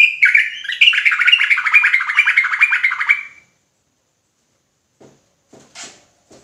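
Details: Sooty-headed bulbul pouring out an agitated ropelan burst: a continuous rapid stream of chattering, buzzy notes for over three seconds, then quiet with a few faint knocks and clicks.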